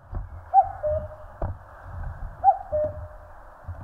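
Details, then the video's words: A common cuckoo in the mountains of Korea gives its two-note, falling "cuck-oo" call twice, about two seconds apart, over low rumbling background noise and a few soft thumps. "청량한 뻐꾸기 울음 소리. Cuckoo chirping"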